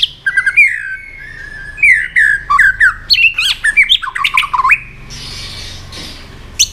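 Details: White-rumped shama stimulated to fight-sing: loud, quick sequence of slurred whistles and squeaky twisting notes, followed by a soft hissing stretch and a final sharp note.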